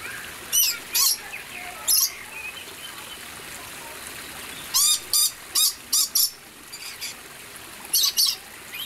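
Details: Red lories, brightly coloured parrots from the Moluccas and surrounding islands of Indonesia, give harsh, loud screeching bursts in short clusters, some single and some in quick runs of three or four, over a faint rushing background.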